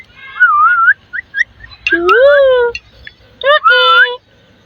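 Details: Pet parrot that talks like a human: loud clear whistled phrases, wavering and rising notes, then a drawn-out harmonic speech-like utterance and another whistled phrase, with quiet pauses between.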